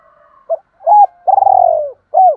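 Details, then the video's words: A spotted dove challenge call meant to provoke other doves: a short clipped note, a hooded coo, a long vibrating purr that sags toward its end, and a final arched coo, in a quiet setting. "tiếng chim cu gáy kích bổi hiệu quả"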